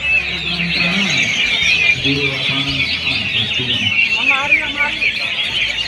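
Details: A dense chorus of many songbirds trilling and chattering at once at a songbird singing contest at Lapangan Banteng, Jakarta, with a man's voice announcing underneath.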